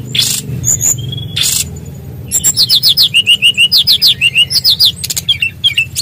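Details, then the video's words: Bali brown-chested jungle flycatcher in full loud song: a few harsh bursts and whistles, then a long run of quick paired whistled notes, falling and repeating about three times a second, over a low hum. "SUARA BURUNG KECIL BERSUARA KERAS!! SRDC BALI GACOR NGEROLL MEWAH FULL ISIAN"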